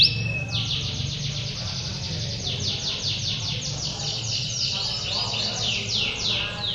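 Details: Male canaries singing ngedur at a canary song contest in Pondok Cabe Udik, 21 February 2016: a short steady whistle opens into a long rattling trill of quick repeated sweeps, people murmuring in the background.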